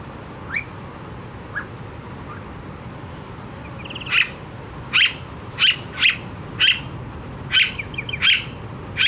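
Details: Blue-faced honeyeater in Australia, a very noisy, vocal bird: a few faint notes, then a series of eight sharp, piercing high calls repeated roughly every half second to second, with faint trilled notes between them.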